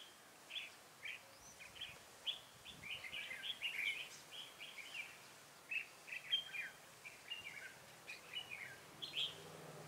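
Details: Red-whiskered bulbul singing at a trapping site on 7 January 2018: short, bright warbled phrases, repeated roughly every half second to a second, some slurred and chattering, with a faint steady background hiss.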